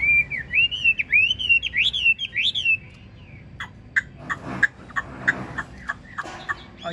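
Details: Caged Chinese hwamei giving a run of loud, wavering whistled phrases that fades into sharp chips and clicks against music in the room.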